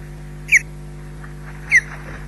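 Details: Osprey returning to its nest at Loch Garten for a quick visit before leaving again; two short whistled chirps, each sliding downward, about a second apart, over a steady low electrical hum.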